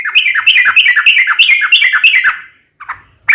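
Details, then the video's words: Sooty-headed bulbul, a lively singer used as a lure to make other bulbuls reply, pouring out a rapid bubbling chatter for over two seconds, then falling quiet before a soft short note. "SUARA trucukan gacor ropel panjang PANCINGAN TRUCUKAN agar bunyi"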